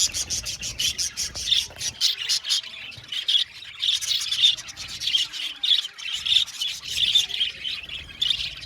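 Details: Many budgerigars in a colony chattering together, bursts of squawky chirps and warbled notes in rapid succession, briefly thinning around three seconds before resuming.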